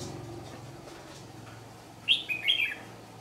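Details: Red-whiskered bulbul, a white-cheeked bird of the ché song style, being lured into a trap; one short burst of bright, warbled chirps late in the clip over steady low background hum.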